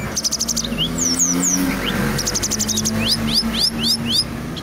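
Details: Song of a Brown-chested jungle flycatcher, native to Indonesia, rolling without stop: fast runs of high ticking notes, sweeping whistled upslurs about four a second, over a low steady engine-like hum.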